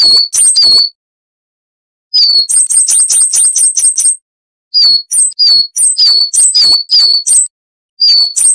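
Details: Coal tit singing, prepared as a training recording for cage birds. It gives rapid series of high, thin two-note phrases, some rising and some falling, in bursts of about two seconds separated by silences.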